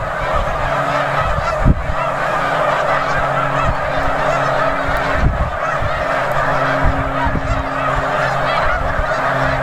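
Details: Vast gathering of snow geese, Bombay Hook National Wildlife Refuge, Delaware, USA, 4 December 2006: constant overlapping honks from many birds over a steady low mechanical hum, with a few sharp knocks.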